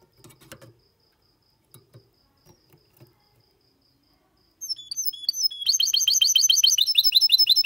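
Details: Clean song from a goldfinch x canary hybrid, 2022, in Malaga copy style for stimulating males and teaching chicks: scattered soft clicks and taps first, then high twittering notes speeding into a long, fast, evenly pulsed trill.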